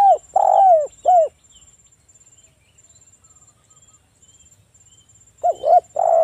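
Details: Local Spotted dove singing as a lure to get other doves calling. Two cooing phrases, one opening and one closing, each a few short notes then a longer falling coo, with a thin high insect-like whine throughout.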